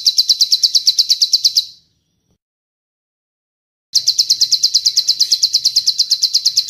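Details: Bar-winged prinia master song with long-tailed tit (cililin) phrases, for training kept birds to copy: a rapid, even run of sharp high notes about three per second stops for two seconds, then resumes.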